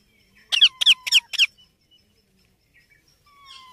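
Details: Baby Indian ringneck parakeet giving four harsh, rasping, downward-sweeping calls in quick succession, then quiet with a faint thin whistle and soft chatter in the background.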